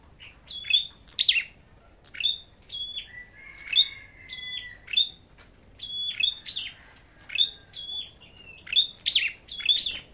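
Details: Singing-competition flowerpecker with a red head: high piercing chips and brief level whistles in spaced clusters, plus a long thin sliding whistle near the start.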